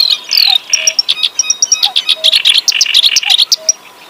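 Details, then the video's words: Caged clamorous reed warbler (kerak basi) in Java sings a fast, varied song of high chattering and squeaky notes in tumbling bursts, with a soft low whistle repeated roughly every second and a half beneath. "Kerak basi gacor lagu mewah"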